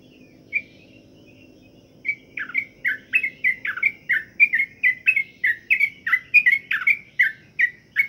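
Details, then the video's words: Sooty-headed bulbul (trucukan) in pengembunan, morning dew exposure to make it sing keenly: a few soft scattered notes, then from the second second a rapid, even stream of bubbly downslurred phrases; a steady low hum runs throughout. "pengembunan Trucuk'an Agar Rajin Bunyi"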